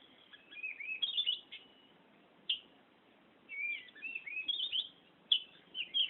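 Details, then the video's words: Oriental magpie-robin (kacer) singing ngerol style: high warbled phrases with rising sweeps and sharp notes, a quiet stretch, then another burst of rapid twisting whistles. "Burung Kacer Ngerol Gacor"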